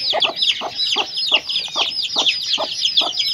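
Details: Chickens and chicks eating, with steady low hen clucks about three per second under a constant chatter of thin, high chick peeps.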